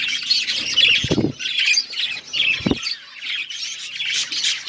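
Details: Budgerigars chattering in a steady stream of raspy chirps and short squawks, with two dull thumps near the start and middle, like wings or cage movement.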